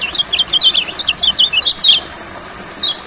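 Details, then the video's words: Olive-backed sunbird in a rice field, kept for singing therapy: a quick run of sharp, high, downslurred chirps in a burst lasting about two seconds, then one more chirp, over a steady high insect hiss. "Terapi Kecial Kuning Di Sawah Gacornya Kumat.!!!"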